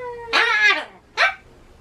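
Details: Pet Ducorps's cockatoo, which screams at loud noises like town announcements and election cars, gives two harsh, raspy screeches, a longer one then a short one, after a steady tonal note.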